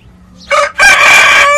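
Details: Crowing of a domestic rooster, one of a pair kept together, one red and one speckled: a rising opening syllable breaks off, then a long, loud, harsh, harmonic note is held steadily to the end.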